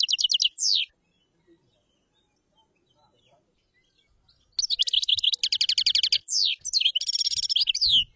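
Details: Common chaffinch repeating its song: a short trilled phrase, a long pause, then a longer sequence of rapid high strokes, descending runs and a final flourish.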